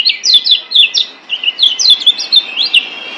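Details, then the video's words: Yellow kecial white-eye from Lombok, master song for caged birds: a series of about a dozen quick, high down-slurred chip notes, evenly spaced in two short bursts. "Masteran Kecial Kuning Ampuh Bikin Kecial DIAM Malas Bunyi Jadi NYAUT GACORRR"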